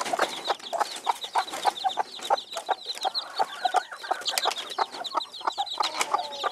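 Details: Silver Phoenix hen and chicks: a steady run of short clucks roughly every third of a second, overlaid by constant high, arched peeping from the chicks.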